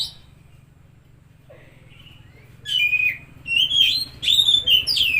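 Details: After a quiet start with a faint whistle, an Oriental magpie-robin breaks into loud, rich whistled phrases with sharp rising and falling notes. The song is meant to stimulate a stressed or silent bird, over a low hum.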